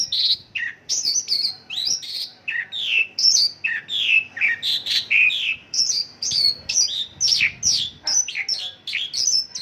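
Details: Dense, unbroken torrent of varied chirps and twisting slurred notes from a Mongolian lark, sung as 'isian lokalan', the notes tumbling one after another with barely a gap.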